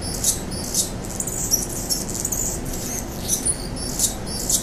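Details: Territorial adult male Anna's hummingbird, August 2009, singing with two added high-pitched squeaks. Short, thin, scratchy chirps recur about every half second over a constant low hum.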